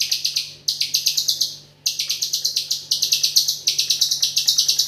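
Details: White-rumped shama in nonstop 'ak47' filler singing: dense runs of quick, high, metallic chirps repeated several times a second, broken by short gaps, over a faint low hum.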